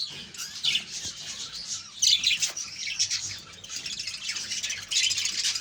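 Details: Steady high-pitched twittering from a budgerigar colony, many birds chirping at once with sharper squeaky calls standing out near the two-second mark and at the end.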